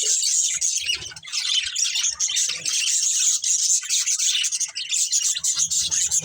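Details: A family of budgerigars keeps up constant high chattering, a blend of scratchy warbles, clicks and short whistles without any real pause.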